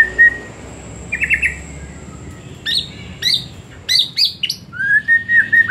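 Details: White-rumped shama song in the afternoon, played as a lure to make shamas sing more: a long whistle, a short buzzy trill, then sharp clipped notes and a closing wavering whistle.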